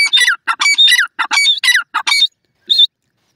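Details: Francolin giving loud, rasping calls: a quick run of harsh, scratchy notes in short bursts, then a pause and one final, thinner note. The background is otherwise quiet.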